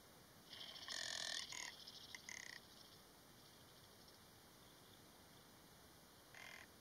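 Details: Rock ptarmigan (Lagopus muta), song.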